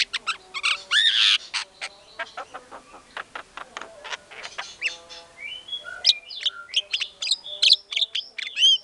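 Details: A white-rumped shama in energetic song, played as a lure for other shamas: clicking, chattery notes early on, then a string of clear, bright whistled phrases that sweep up and down.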